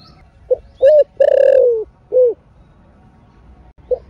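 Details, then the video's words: A spotted dove in 'thổ rền' voice, used to rouse caged doves: one phrase of short note, clear coo, long purring coo falling in pitch and closing coo, then silence before a soft note begins the next phrase. "THỔ SẤM ĐỒNG... RA ĐỒNG... CỤC CÚC CU KÍCH BỔI ( THỔ RỀN )"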